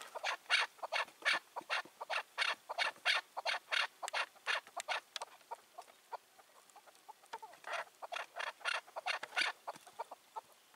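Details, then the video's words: Free-roaming wild Chukar partridge on an evening in June 2023, giving bursts of sharp, broadband clucking notes about once or twice a second, with a short pause mid-way. "Sevdiğim Keklik Sesi"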